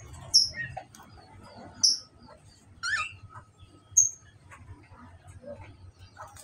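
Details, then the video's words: Australian finches, in a recording meant to bring finches into breeding condition and laying, give thin, very high chirps and squeaky notes, a sharp peep every second or two among softer twittering, over a faint low hum. "falk australia agar cepat birahi dan bertelur"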